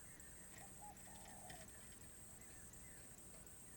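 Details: Spotted dove singing in the khom pa roi style, off its usual timing: two low, hollow cooing notes, a short one then a longer drawn-out coo, over steady high hiss and a low rumble.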